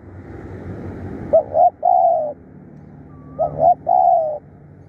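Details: Decoy spotted dove, described as fierce and a tireless caller, gives two low coo phrases. Each opens with a clipped double note and ends in a sustained hollow coo. There is a soft higher whistle in the gap and low background rumble.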